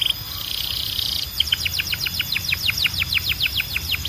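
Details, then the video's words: Belgian canary song for training: a buzzy trill followed by a fast series of sharp repeated downslurred notes, about five per second, over light background hiss. "Som de Canário Belga Super Afinado SEM PARAR"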